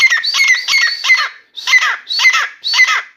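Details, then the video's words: Grey francolin (Dakhni teetar), a newly acquired bird kept indoors in a room, singing continuously: loud, harsh, ringing phrases repeated about once a second, each a burst of grating, rising notes, with brief gaps between phrases. "Grey francolin Dakhni Teetar song"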